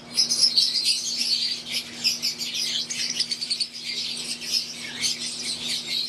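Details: Caged Fischer's lovebirds, wild-type green and Euwing, chirping together in an aviary. The high, squeaky twitters run almost without a break, with a faint steady low hum beneath.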